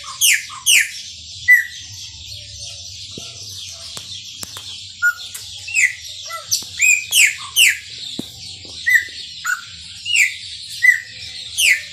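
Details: Maranhãozinho-style song of a chopi blackbird, a long run of bright whistles, slurred downstrokes and short clear notes, roughly one phrase per second, with a constant high hiss and faint low hum behind.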